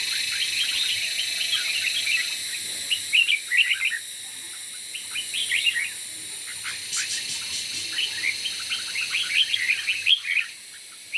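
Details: Morning competition singing of red-whiskered bulbuls: dense, almost continuous chirpy whistled phrases overlapping one another, with a brief buzzy rattle midway and a constant hiss underneath.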